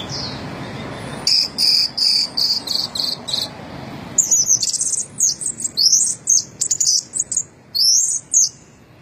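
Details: Orange-headed thrush, a first-place contest bird, in full active song: high whistled and slurred notes, first a run of steady repeated whistles, then rapid varied twisting phrases in quick bursts, with faint low background hum.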